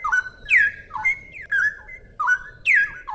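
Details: Straw-headed bulbul (Pycnonotus zeylanicus) pouring out rich, liquid whistled phrases, bubbling notes that swoop up and down, several bursts in quick succession; a faint room hum beneath.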